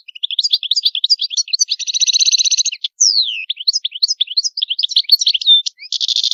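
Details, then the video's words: Steady European goldfinch song, fast liquid twitters broken by two buzzy rattling trills and a sweeping downward whistle, delivered almost without pause in a quiet setting. "طائر الحسون. اجمل الطيور المغردة Goldfinch. The most beautiful songbirds"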